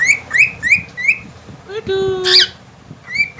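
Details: Pet cockatiel, a talking and singing companion bird, whistling: a series of bright rising whistled notes repeated about every third of a second, a lower buzzy harmonic note midway, then one more rising whistle, with background room noise.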